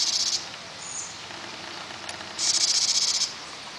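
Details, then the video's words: House wrens, a nesting pair feeding their brood, recorded June 21: two dry, buzzy rasping bursts, one at the start and a longer one about two seconds later, with a thin high whistle between them. "House Wren"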